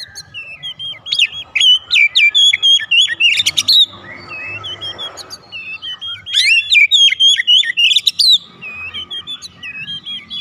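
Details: Oriental magpie-robin song used to bait other birds into answering: two long bursts of rapid, clipped whistled notes repeated about four per second, separated by a soft noisy pause.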